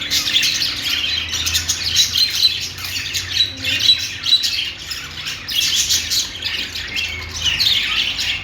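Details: Budgie chatter in overlapping bursts of squeaky, gravelly warbles and quick chirps, pausing briefly every couple of seconds.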